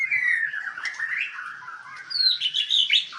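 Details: White-rumped shama at a Palembang breeding farm, a continuous warbled song of gliding falling notes and high whistles, with a steady low background hum.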